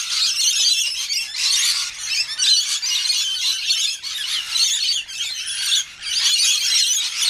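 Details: A flock of wild rainbow lorikeets (Trichoglossus moluccanus) at morning feeding time, waking the neighbourhood, gives constant shrill, harsh screeching and chattering from several birds at once, rising and falling in bursts with no pauses.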